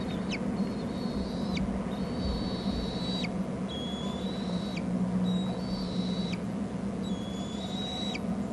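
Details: Bald eaglets at a nest on Hornby Island, filmed by nest camera as an adult arrives with food, give thin, high whistled calls that hold steady then snap sharply downward, about six in a row every second or so, over constant low rumbling background noise.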